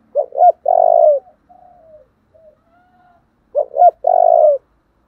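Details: Spotted dove singing in the 'giọng thổ đồng' voice style, with 'thúc' and 'gáy gọi' calling: two short cooing notes, then a longer buzzy coo, a pause, and the same phrase again. The background is quiet.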